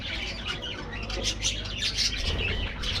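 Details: Budgies in an aviary colony giving rapid, harsh little squawks and chirps, closely packed and irregular, with a busy chattering backdrop.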